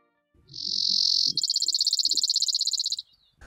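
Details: Brewer's sparrow (Spizella breweri) of Colorado's alpine tundra, short song: a high smooth buzz then a fast dry trill of about twelve notes a second; short songs are sung repeatedly by unpaired males, each male's version individually distinctive, over a faint low rumble.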